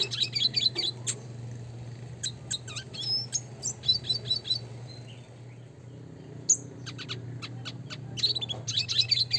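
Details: Red siskin (Spinus cucullatus), a classic type, singing in a rolling style with bursts of high, thin chirps and short trills, groups of quick notes separated by brief pauses; steady low hum behind.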